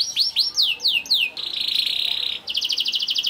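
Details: Young canary's lure song for getting other canaries singing: a few loud, falling whistled sweeps, then a steady, buzzy sustained note lasting about a second, breaking into a quick rattling trill.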